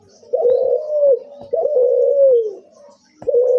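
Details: Turtle dove (puter) giving its unusual cuhu-style call indoors: low, drawn-out hollow coos, each about a second long and ending in a falling slur, repeated with short gaps.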